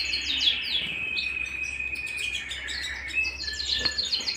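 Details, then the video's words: Singing canary indoors: fast descending chirps, then a long thin sustained whistle, followed by scattered high twitters and a single short click. "canary bird - canary singing - canary sounds - canary singing at home"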